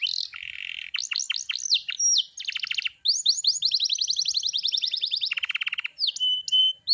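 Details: Canary singing a varied song of fast rolled trills and buzzy repeated notes, shifting between high and lower pitched phrases, with brief pauses between sections and clear whistled tones near the end.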